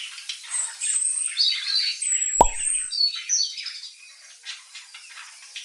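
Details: Pet budgerigars reacting to foreign bird twitter with ongoing high, scratchy warbling and whistles, interrupted once midway by a sharp knock or plop.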